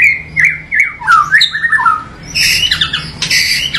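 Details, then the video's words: A white-rumped shama sings harsh variations: descending slurred whistles and buzzy phrases give way to loud, scratchy squawking bursts packed with high notes. "MURAI BATU Full Tembakan Variasi Kasar Mewah"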